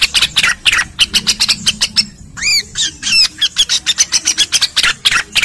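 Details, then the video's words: Cucak rengganis song for training other birds: rapid high chirps broken by a few looping, swooping whistled notes in the middle, then fast chattering again. "MASTERAN BURUNG RENGGANIS SUPER GACOR"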